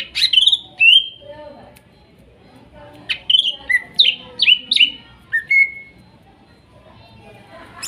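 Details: Greater green leafbird from the wild in Kuningan, used as therapy for a silent bird: two loud downslurred whistles, a pause, then a lively run of about seven sharp descending notes.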